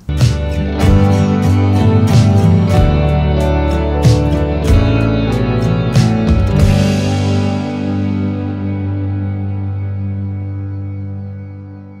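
Gentle plucked guitar music with sustained low notes fills the whole passage, fading out at the end, with no animal voices.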